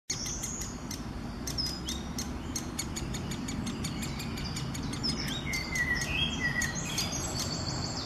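Young great spotted woodpecker giving sharp, clicking kik notes in an irregular rapid series, with thin whistles from other birds and a steady low rumble.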